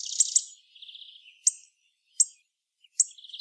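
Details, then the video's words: Hawfinch (Coccothraustes coccothraustes) giving sharp, explosive high 'tzik' ticks about every three-quarters of a second, with a thin, faint twittering between them. "Putni / Birds : DIŽKNĀBIS /Coccothraustes coccothraustes/. Hawfinch. Kernbeißer."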